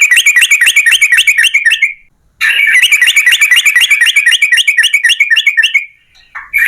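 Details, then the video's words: Yellow-vented bulbul in long rapid-fire 'ropel panjang' song, used as a lure to get other bulbuls singing; fast bubbly notes repeated about four per second in two long runs, separated by a brief pause. "TRUCUKAN GACOR Ropel Panjang"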